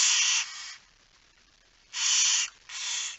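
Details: Barn owl at the nest during night feeding on 10 September 2019 at 22:45: three loud, broad hissing screeches, each about half a second long, separated by quiet gaps.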